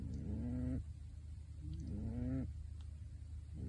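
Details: Two low, drawn-out rising snores from a pet pigeon asleep in a bird suit, each under a second with stacked harmonics, over a low steady hum.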